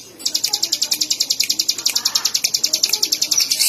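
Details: Bar-winged prinia delivering a rapid run of bright, clipped high chips, roughly three per second, evenly spaced throughout, with soft low background murmur.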